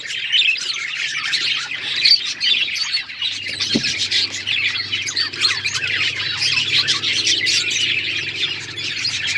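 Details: Dense, continuous budgie chatter: many overlapping scratchy chirps and warbling notes with no pauses, several birds calling together above a faint low hum and one brief thump.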